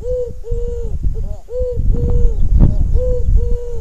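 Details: Ring-necked dove cooing in a quick series of short, mellow, even-pitched notes, some introduced by a faint upward slur, against continuous low thudding background noise.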